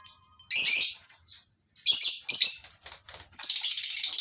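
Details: Lovebirds in a mini colony aviary at a breeding farm in the morning, with masked and Fischer's lovebirds among the flock; harsh high-pitched chirping bursts come in three loud clusters separated by short pauses, with faint fluttering between.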